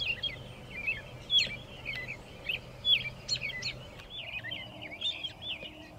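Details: American robin singing near dusk on 6 April 2024 in Shiloh, Illinois, perched atop a pile of railroad ties beside a railroad; short, warbled caroling phrases repeated in quick succession, with a low steady hum in the background.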